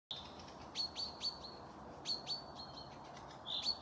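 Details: Forest birds singing near Panika village, Torzhok district, Tver region, Russia, recorded 12 May 2024: high, sharp chirps and short whistled strokes come in quick bursts, with a thin sustained whistle trailing after some notes over a soft, steady background hiss.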